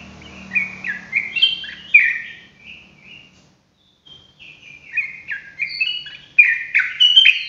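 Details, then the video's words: Rapid ropelan song of a sooty-headed bulbul for tutoring: strings of clear slurred whistles, a short silent gap, then a faster and louder burst of rising and falling notes. "TRUCUKAN ROPELAN GACOR COCOK BUAT MASTERAN"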